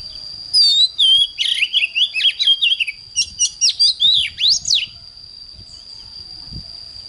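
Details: Oriental magpie-robin singing in the morning: a burst of loud, varied whistled phrases with rising and falling notes and rapid chips for about four seconds, then quiet, over a steady thin high tone throughout.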